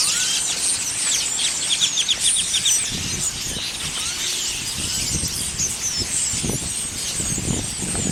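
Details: Huge flock of birds massed in a store parking lot in Lawton, Oklahoma: a loud, continuous wall of high chattering and squeaky chirps, with passing cars rumbling underneath.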